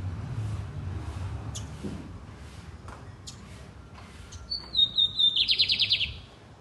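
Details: Lined seedeater (bigodinho) singing loud and deep: after several seconds of low rumbling background with faint ticks, a short run of high whistled notes slides downward into a rapid, buzzy, pulsing trill lasting about two seconds.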